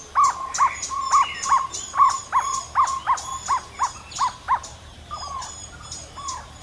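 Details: A jungle owlet, a widespread resident in India, gives a steady series of hollow, mid-pitched notes, about two or three each second, fading toward the end.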